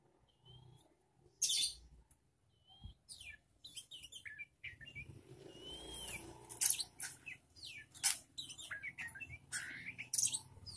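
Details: Young magpie-robin, still untrained, tested by placing it with other birds: scattered short whistles and sharp bursts, building into a continuous fast medley of chirps, swooping whistles and harsh notes.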